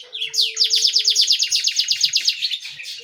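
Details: Small canary singing persistently: a rapid, even rattle of about twenty high, downward-slurred notes, preceded by a short rising sweep and ending in a brief twitter.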